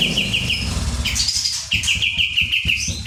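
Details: ['Kapas tembak song over a low engine rumble: quick chirps at the start, a high whistled phrase, then a long string of rapidly repeated, bright downslurred notes.']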